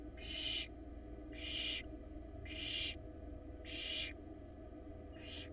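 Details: A Florida barn owl nestling in its camera-watched nest, 2022, struggling with an enormous rat, utters five rasping hisses at a steady pace of roughly one per second, layered over a low hum.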